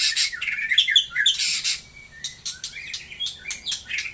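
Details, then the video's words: White-rumped shama, Taiwan murai form: bright burst of harsh chattering and whistled notes, then thinner sliding whistles rising and falling at intervals. "burung murei taiwan super mantapppp suara josss"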